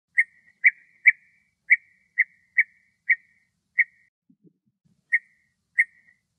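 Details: A male European bee-eater in Greece gives short, rolling, liquid 'prruit' notes, repeated at uneven intervals.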